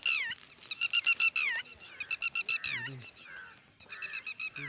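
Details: Red-wattled lapwing mother at Mt Abu, near its eggs and chick, calling its young: rapid bursts of sharp, ringing notes, each series ending in a downward slur, repeated in three runs with short pauses.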